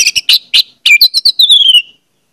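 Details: Orange-headed thrush song played as a lure for other birds: loud, buzzy, clipped notes give way to a rapid jumbled twitter that ends in a descending trill.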